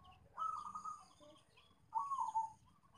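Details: Zebra dove call used as a lure to set other doves calling: two soft cooing trilled phrases about a second apart, with faint rural background hiss and distant high birds.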